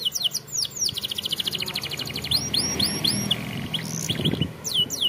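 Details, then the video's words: Training song for young canaries from a champion singer: a long rolling trill of rapid high notes, followed by slower rising-then-falling whistled sweeps and a brief low thump near the end. "Canary Bird Singing Video Training Canaries - Canary Singing Like A Champion For Young Canary"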